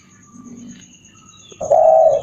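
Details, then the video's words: Old wild spotted dove of the three-note type answering a lure call. A low hum is followed by a loud, steady, low-pitched coo that holds for about half a second until the end. "burung tekukur kuk 3,suara pikat burung liar langsung nyaut"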